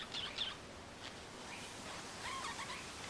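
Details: Two budgerigars chirping outside give a few quick high chirps, then a soft scratchy warble, half-buried under strong wind rushing through trees.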